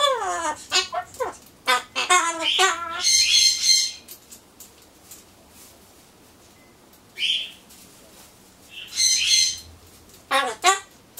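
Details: Solomons corella kept as a pet, talking alone while awaiting pumpkin; rapid wobbling speech-like syllables, a few harsh squawks, then quiet gaps broken by scratchy bursts and a final short chatter.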